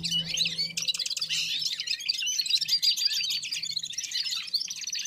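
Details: Warming-up chorus of red-fronted serins with other birds: a thick, continuous high twitter of rapid trills and chirps. A low hum is heard at the start.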